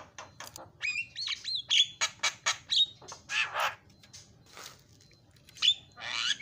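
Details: A starling, recorded as a lure to prompt silent starlings to sing, gives a busy, chattering song of harsh rasping bursts, sharp whistles and slurred squeaks in a rapid jumble with brief pauses.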